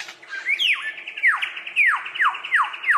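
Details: Australian lyrebird mimicking other birds as part of its courtship dance: a rising swoop, then loud whistled notes sliding steeply downward, repeated roughly three times a second.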